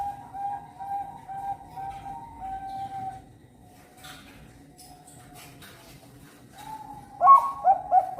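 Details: Zebra dove of the Bangkok competition type, bred at a bird farm in Cirebon, Indonesia, hatched December 2021. Soft, even cooing notes run for three seconds, followed by a quieter stretch with faint clicks. A louder burst of coos follows near the end.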